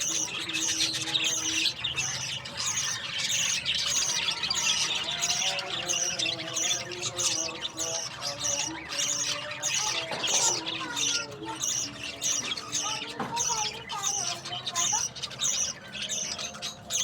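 Budgerigar chicks give rapid, raspy, high squawks and chirrups while being fed.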